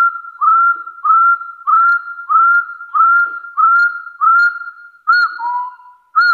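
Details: Hill partridge challenge call aimed at rivals: a run of rising, drawn-out whistles roughly every 0.6 seconds, ending in a higher note and a lower flat whistle before the series resumes.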